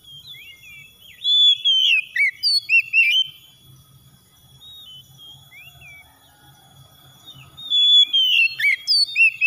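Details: Oriental magpie-robin song used as a lure to provoke singing: bursts of loud, varied whistled notes, swoops and trills, with a long quiet gap in the middle and a steady high electronic tone throughout.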